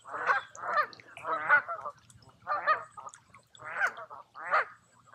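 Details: Geese on a lake at a wooded resort in Tamiment, Pennsylvania, in summer, calling with spaced nasal honks, some doubled, over a faint low hum.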